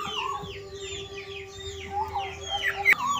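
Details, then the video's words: A Black-naped oriole singing outside its cage, a quick run of clear, down-slurred whistles over a steady low hum, ending with a sharp click. "kepodang gacor"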